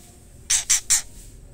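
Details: White-rumped shama female calling the male. Three loud, harsh, hissing scolds, each about a tenth of a second long and evenly spaced, very high and noisy.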